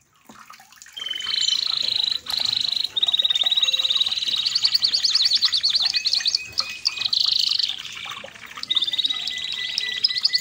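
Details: Red canary song used for training other canaries: a dense, continuous run of high, bright trills and rolls with rapid repeated notes, shifting between rattling and whistled tours over about ten seconds, with faint background sound.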